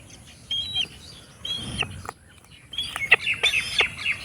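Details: An eagle that came in after hearing a call and answered it. High, whistled notes come in short bursts, some with sharp clicky edges. The clearest group is near the end, with quieter spells between bursts and a faint background hiss.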